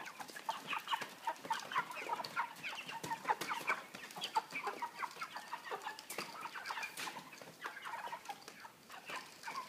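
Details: Caged broiler chickens of about 3 kg, kept with a pan feeder on a plastic floor. A dense flock chorus of short, overlapping clucks and peeps, with frequent sharp clicks and rattles from the cage equipment.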